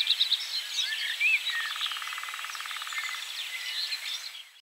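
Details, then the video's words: Lesser spotted woodpecker drumming one long, even, rapid roll of nearly two seconds, heard from too far away to film, with other small birds chirping and twittering in the background. "Lesser spotted woodpecker (drumming) / Dzięciołek (bębienie)"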